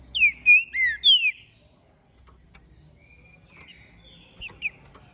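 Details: After moult, a captive-bred, ringed green-winged saltator from Minas Gerais, Brazil, delivers a loud opening phrase of four swooping whistled notes, then silence broken by a thin drawn whistle and brief high chips.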